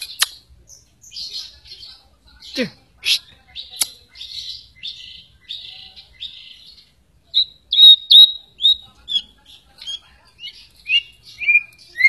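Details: White-rumped shama song, used as a lure to get other shamas singing and confident: rich varied whistles and buzzy phrases, sharp clicks and a fast downward swoop, then a run of bright, clear whistled notes repeated quickly.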